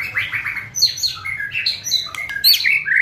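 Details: Murai batu (white-rumped shama) giving kretekan song: quick rolling warbled notes, squeaky high slurs and sharp clicks packed densely together in a busy, varied phrase.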